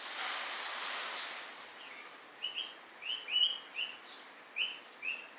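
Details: White-rumped shama: a brief rush of broadband noise opens, followed by crisp high whistled notes, each slightly down-slurred, repeated at irregular half-second intervals.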